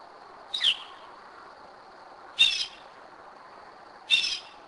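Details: In the 2am darkness of Kennesaw, Georgia, a Northern mockingbird utters three harsh, rasping high bursts spaced nearly two seconds apart in a quiet night.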